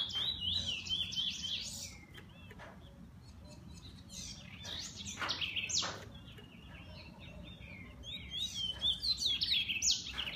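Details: Pet bullfinch giving bursts of high, twittering song at the start and end, separated by loud clicks and short scratchy notes.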